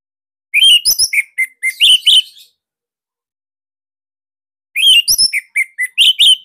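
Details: Caged Bali orange-headed thrush delivering a loud, compact 'tembakan' burst song used as a training master for other thrushes. Quick strings of sharp whistled notes in two bursts of roughly two seconds, with a two-second silence between them.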